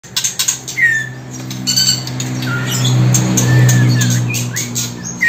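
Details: A young male White-rumped Shama, about two months old (sometimes one and a half months), gives its "ngeplong" call: sharp clicking chirps and a short rising whistle in the first second, then scattered calls over a steady low hum.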